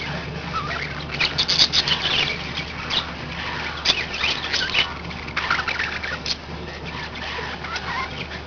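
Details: Budgies warble and chirp in lively bursts, with squeaky whistled notes and short pauses, over a steady low electrical hum.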